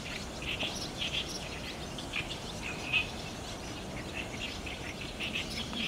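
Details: Many barn swallows gathering at the roost under grey skies on 30 June 2019, taken with a DSLR: continuous bright chattering of short high chirps, a few louder sharp notes standing out, light background noise.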